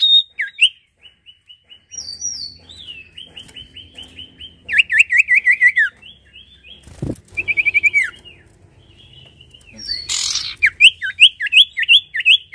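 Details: Sirtu singing at length: high chattering runs of short down-slurred whistles repeated rapidly, varied trilled phrases and sharp upward sweeps, with a brief loud click and a burst of hiss partway through and faint low background hum.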